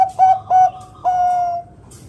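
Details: Bangkok-type local zebra dove with a big 'kung' voice, played to get other doves singing. Two short, mellow coos lead into a drawn-out, level cooing note that slowly fades.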